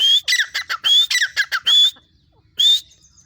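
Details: Calling female grey francolin gives a burst of rapid, rasping squawks laced with bright whistled tones. A pause follows, then one more loud squawk near the end.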